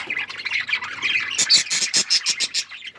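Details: Chirping budgerigars, Australian parrots kept as pets: a steady scratchy warble giving way to a run of loud, sharp chirps repeated in quick succession.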